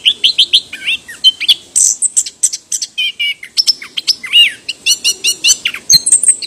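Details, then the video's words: Varied, rapid song of an orange-headed thrush: quick runs of shrill whistles, buzzy slurred notes and sweeping upward and downward inflections, delivered loudly in dense, nonstop phrases over faint background hiss. "橙头鸟 anis kembang bird orange head"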